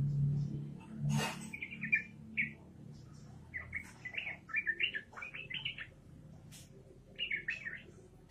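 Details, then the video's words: After a brief rustle, a yellow-vented bulbul pours out lively 'ropelan' song: clusters of quick, liquid, rising and falling notes in short bursts, separated by pauses, with low background hum. "trucukan gacor ropelan edan trucukan gacor"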